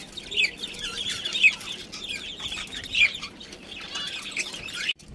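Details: Breeding pair of budgerigars giving softer warbling chatter, high scratchy notes with a few sharp whistled chirps, continuous, then cut off abruptly near the end.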